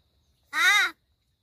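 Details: A pet talking crow in Gargaon, Palghar, being chatted with by its owner, gives one harsh, nasal, drawn-out cry, rising then falling over about half a second, against near silence.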